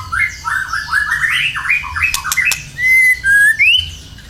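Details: White-rumped shama song played to coax other birds to sing: quick chains of rising whistled notes, a pair of sharp clicks, then long clear sustained whistles ending in an upward slur.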